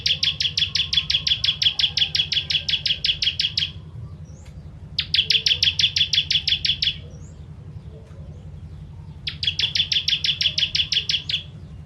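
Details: Three long volleys of rapid, buzzy, evenly repeated chip notes with short silent gaps between them, from a bar-winged prinia (ciblek kristal) in the tembakan pedas style used to train songbirds.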